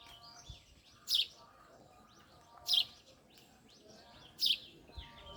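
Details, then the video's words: Three crisp, emphatic chirps from a male house sparrow come at even intervals of about one and a half seconds. Faint thin calls sound between them in an otherwise quiet setting. "Sparrow male 🐤😍 | sparrows chirping"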